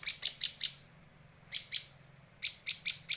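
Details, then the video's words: Bar-winged prinia calling to lure birds: ringing chip notes in groups of four, then two, then five, each burst quick and evenly spaced, with a short silent gap between groups. "Suara masteran dan pikat burung Prenjak lancur"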